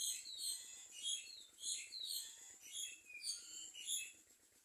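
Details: Common myna baby birds at a nest: harsh, raspy, hissing bursts, high-pitched and rapidly repeated, rising and falling in waves about every half second, with thin chirps between them.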